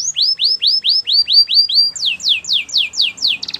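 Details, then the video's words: Singing canary delivering a repeated phrase of sweeping downslurred whistles about four per second, then a second series of sharper falling notes, ending in a brief fast trill. "All the canaries will sing a long | Canary singing birds sounds at its best"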